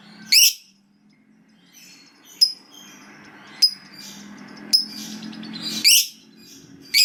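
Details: Lovebird, fighter type, giving scattered shrill screeches and sharp short chips several seconds apart, with quiet low background hum between them.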